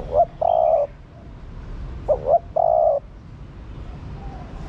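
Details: Close female spotted dove calling to stimulate the male. Two matching phrases about two seconds apart, each with two short rising notes and a long steady coo, plus the start of another at the end.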